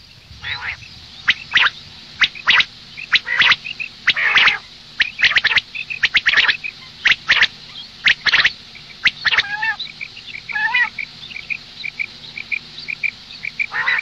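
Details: Long bout of female common quail calls in the morning. Dense, harsh rasps come in quick groups, then give way to a run of evenly spaced, thin, high peeps toward the end.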